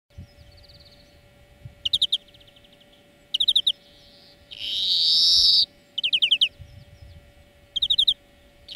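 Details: European greenfinch song from a lesson recording for training birds: short buzzy trilled bursts repeated every second or two, with one long loud nasal wheeze in the middle, against a faint steady hum.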